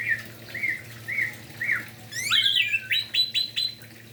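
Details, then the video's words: Orange-headed thrush in morning song meant to prompt other thrushes of its kind to sing; four soft, evenly spaced whistled notes lead into a louder tangle of sweeping phrases and sharp, clipped high notes. "Anis merah Gacor Pagi hari - Merangsang emosi dan Birahi Anis Merah"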